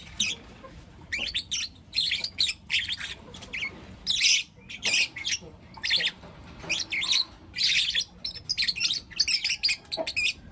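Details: Four young lutino lovebirds chirping in the morning, pet birds: dense, scratchy high-pitched chirps in short repeated bursts, a few squawky notes, continuous chatter over a faint background hum.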